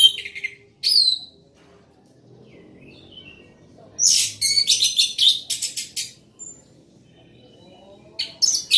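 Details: Orange-headed thrush singing loudly: bright, scratchy high phrases in short bursts, then a run of rapid, rattling, buzzy notes, with quiet pauses between phrases.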